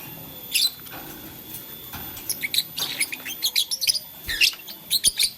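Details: Blue, lutino and green lovebirds busy with a flower chatter in high, thin chirps, sparse at first and then a dense, uneven stream of short squeaky notes through the second half.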